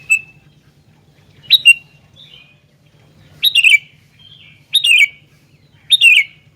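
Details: Sooty-headed bulbul in active song, delivering short bubbling, slurred phrases about once a second, each falling in pitch, with a quiet low hum behind.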